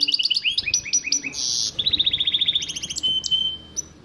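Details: Goldfinch mule delivering stepped chirp series, a harsh buzzy burst, then rapid repeated twittering that fades with a few scattered high notes.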